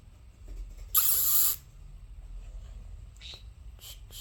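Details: Pet conure sounds at home from two birds: one loud, rough, half-second screech, followed by faint high chirps and a low hum.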